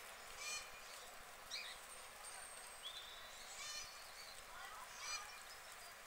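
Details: Mallards on a UK duck pond give short, nasal honking quacks in scattered bursts every second or two, with a few thin whistled notes and a low steady hum behind.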